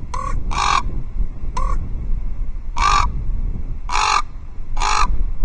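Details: Common raven perched at an osprey nest on an old Scots pine at Loch Arkaig, 12 October 2023, clucking to drive another raven away: six hoarse, gravelly calls, some short and clipped, spaced irregularly over a low background hum.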